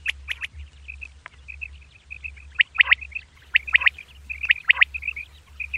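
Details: Female common quail (batair) calling at dawn: a run of short, soft, high-pitched notes in a fairly steady series about once a second, mixed with sharp clicky chirps and a few louder whistled notes, over a constant low hum.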